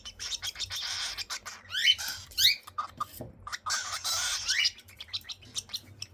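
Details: Cockatiel chicks at feeding time, giving raspy, hissing begging bursts in two long stretches, broken by short rising squeaks and clicks, over a low background hum.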